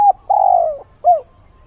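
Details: Mellow dawn cooing from a spotted dove used as a lure for wild birds. A brief note gives way to a long steady coo that drops at its end, then a short rising and falling final note.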